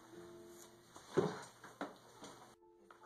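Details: Plucked guitar notes with brief speech and a short pause, and no animal sound.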